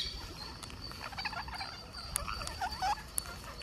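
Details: An Indian green parakeet during a feeding session gives soft, squeaky chirps and quick curling chitters over a few seconds, with a steady high whine and faint rustling behind.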